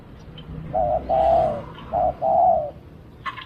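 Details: Spotted dove cooing during decoy-bird luring in Thailand: four low, mellow cooing phrases, the second and fourth longer and purring, with short gaps between them. The background is quiet, with a faint higher chirp near the end.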